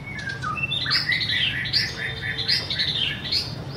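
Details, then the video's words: Brief white-rumped shama phrase: a descending whistle followed by a run of bright, warbling high notes, with a faint steady hum underneath. "BIRD SINGING| Bird White-rumped shama - Beautiful Birds,Dancing And Singing Chirping Sounds Great"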